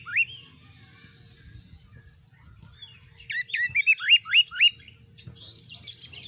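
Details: White-rumped shama singing as a tutor to toughen other birds: a quiet opening note, then a run of five or six loud rising whistled upslurs, followed by softer high twittering over a low background rumble.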